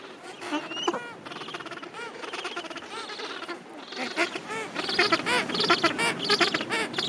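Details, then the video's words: Thousands of Gentoo penguins in a breeding colony late in summer, repeated nasal honking brays in quick bursts, growing louder and denser toward the end amid the general din. "W kolonii pingwinów białobrewych / In Gentoo penguins colony"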